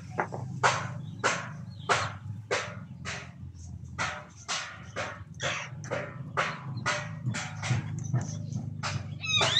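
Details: Red-breasted parakeets at mating time, the start of breeding season, give harsh, grating squawks, about sixteen in ten seconds at an uneven pace, over a steady low hum in the background.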